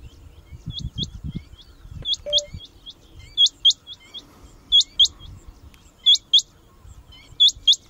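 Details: Male rain quail calling close by at Bhigwan in July 2021, monsoon breeding season, marking territory: high, sharp paired whistles, 'whit-whit', repeated about every one and a half seconds over a low rumbling background.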